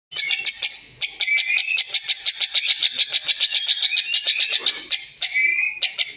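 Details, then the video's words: Rosy starling making a harsh, unusual sound: a rapid grating rattle of buzzy pulses, roughly six per second, held for several seconds, then broken by short squeaky whistles before resuming. "jalak mawar suara aneh kasar"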